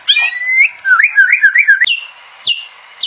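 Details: White-rumped shama singing for use as a master recording: a long steady whistle, then a wavy string of looping notes, followed by sharp descending whistles.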